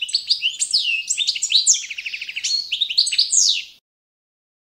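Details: Balkan goldfinch, Carduelis carduelis balcanica, delivering a training song to the adopted competition standard: quick liquid twitters, descending slurred whistles and a short rattling trill, ending abruptly after nearly four seconds.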